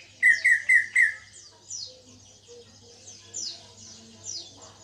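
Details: Caged cucak ijo (greater green leafbird), newly in full song after a heavy moult: four loud, quick, slurred whistled notes in a burst, then softer high thin sweeping phrases at intervals. Steady low hum in the background.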